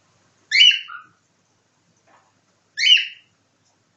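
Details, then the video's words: Caged pet cockatiel imitating nightingale song, giving clear whistled phrases that end in a short lower note, repeated roughly every two and a half seconds against a silent background. "Попугай корелла Ричи копирует соловья"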